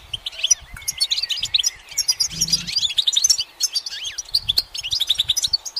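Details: A goldfinch on a sunlit branch twitters energetically, with rapid high chirps, buzzy trills and a few long gliding notes, keeping up a dense, continuous song.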